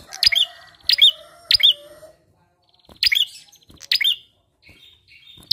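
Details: Bar-winged prinia lure for prompting other birds to sing: clusters of sharp rising whistled chips with short buzzy trills between them, broken by a pause of near silence.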